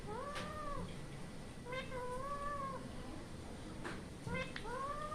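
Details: Indian ringneck parrot giving three drawn-out, harmonic, gently arching calls, each under a second, with low background hum throughout.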